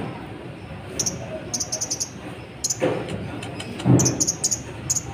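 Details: Brief clusters of very high, thin chirps from a brown-throated sunbird, a lure song for rousing other birds, set against a steady low background hiss.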